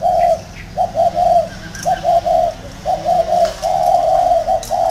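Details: Round-caged decoy spotted dove cooing steadily, short hollow notes strung into phrases about once a second, loud and clear.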